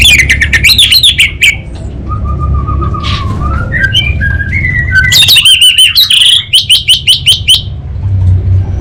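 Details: Orange-headed thrush kept in North Bali, singing in the 'kabel konslet' style: quick rising notes, a run of clear whistled slurs, then rapid buzzy repeated notes at a high pitch, with a low background hum.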